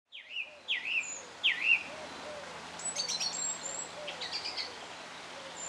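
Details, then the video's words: Song thrush at Cherry Hinton Hall on a dreary winter's morning before work: a loud, swooping whistled phrase three times in quick succession, then fainter high, thin notes, over a low steady background hum. "song thrush"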